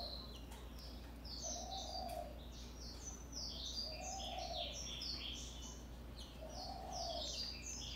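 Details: An Isabel-mutation European greenfinch (2022) gives quick, high twittering chirps and short trills, thick and fast. A soft low coo repeats every two or three seconds, over a steady low hum.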